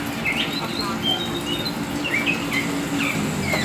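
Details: Short burst of lively song from a hobby-kept black Oriental magpie-robin, kacer hitam: high clear whistles and quick slurred notes in rapid succession, over a noticeable low droning background.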